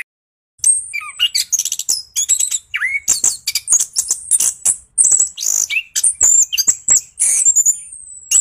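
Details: Orange-headed thrush in continuous 'gacor ngeroll' song, used as a lure to stir quiet thrushes into singing: rapid, varied high chirps, whistled slurs and buzzy notes tumble almost without pause after a brief opening silence.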